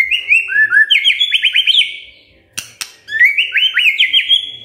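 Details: Magpie-robin singing in the morning, a lure to make other magpie-robins start singing: rapid high whistled trills of quick up-and-down notes, a pause broken by two clicks, then a similar fast whistled run.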